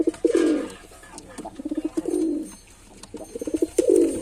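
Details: Male pigeon cooing indoors: short stuttering pulses build into a long, swelling low coo, repeated three times in about four seconds, with faint clicks in the background.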